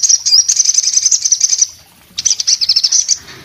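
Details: Orange-headed thrush singing actively, with two quick, high twittering runs separated by a brief silence, the notes tightly packed and sharp.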